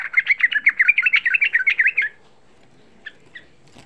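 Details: A young sooty-headed bulbul sings a rapid-fire lure meant to provoke other bulbuls. A fast, bubbly string of about a dozen repeated notes lasts two seconds, followed by two faint single notes.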